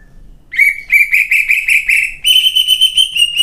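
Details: Champion greater green leafbird, a singing competition bird, in full song with a coarse fill-in style, delivering a burst of rapid harmonic-rich chattering notes that shifts into a higher, steady, buzzy pulsed trill. Quiet background.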